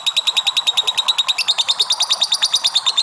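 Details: Sustained ngekek by a lovebird, used to rouse other lovebirds: steady, shrill pulses about three per second, turning brighter and more strident halfway through.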